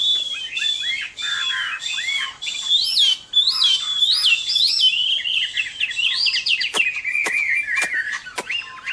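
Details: Chinese hwamei singing a fighting song at summer midday: loud, varied whistled phrases of rising and falling slurred notes, rapidly repeated and sliding lower toward the end, with a few sharp clicks near the close.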